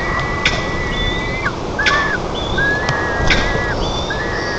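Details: At a nest in Nizhnyaya Kama National Park, Tatarstan, on 14 July 2024, white-tailed eagle young begging for fish give thin, high whistled notes, some level and some slurring down, every second or so over steady hiss and a few sharp clicks.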